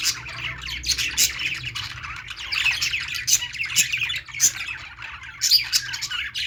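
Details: Several budgerigars at play fill the air with steady twittering warble, punctuated by brief harsh squawks and sharp clicks, with no pause in the flock chatter.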